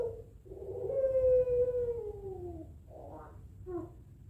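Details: Puter pelung Barbary dove trading calls with a rival: a short low note, then a long sustained mid-pitched coo that slowly falls, followed by two brief quavering bursts, over a low background rumble.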